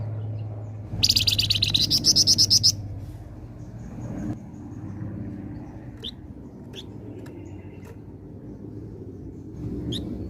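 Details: Flamboyan singing vigorously, used as a lure for flocking birds: a single fast trill of about a dozen sharp high buzzy notes lasting under two seconds, then scattered faint chirps over a steady low hum.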